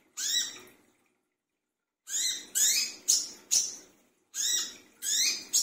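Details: Brown-throated sunbird noisy in the middle of the night: harsh scratchy rasps in bursts, a single note, a pause, then rapid runs of three to four strident sweeping calls, over a low background hum.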